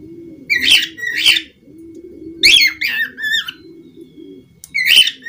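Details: Budgerigar calling in sharp, harsh chirps, some in quick pairs and some as drawn-out warbled notes, separated by short pauses, with a soft low cooing continuing underneath.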